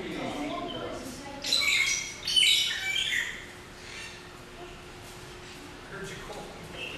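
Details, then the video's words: Magpie shrikes in a zoo's African savanna aviary section, flying about: bright chirps and squawky notes in bursts, loudest between one and three seconds, with faint low voices and a steady hum beneath. "Magpie Shrikes Here, There, and Everywhere"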